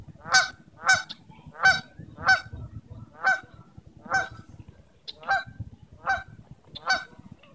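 A Canada goose gives about ten loud, nasal honks in a steady series, roughly one every three-quarters of a second, over a faint low rumble.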